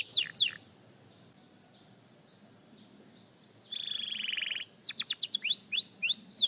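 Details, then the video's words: Young canary practising its song: two quick downward-sweeping notes, a pause of about three seconds, then a buzzy trill of about a second and a rapid run of sweeping whistled notes. "Young Canary Singing Practice"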